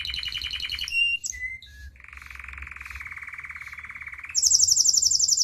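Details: Singing canary in the United States: quick high trills, brief whistled notes, a long steady mid-pitched rolling trill for over two seconds, then a loud fast high trill to the end.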